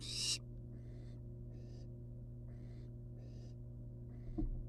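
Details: One loud hiss from a wild barn owl nestling outside the nest box is followed by a regular series of softer, duller hisses and a light tap near the end, all over a steady hum.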